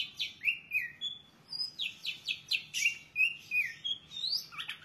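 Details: Long-tailed shrike with a rich varied song of sliding whistles, falling slurs and harsh scratchy notes, run together in a quick, uneven stream.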